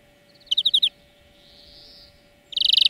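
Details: European greenfinch song lesson for trainee birds: a rapid trill of ripping notes, a soft fading wheeze, then a dense, fast, rattling trill.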